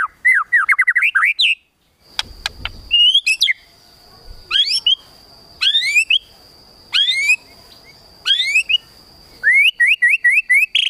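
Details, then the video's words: White-rumped shama in kretekan tembakan style, meant to provoke emotion: a quick run of rising whistled notes, a short gap and sharp clicks, then loud upward-sweeping phrases roughly once a second over a steady high whine. "KRETEKAN TEMBAKAN MURAI BATU MEMANCING EMOSI"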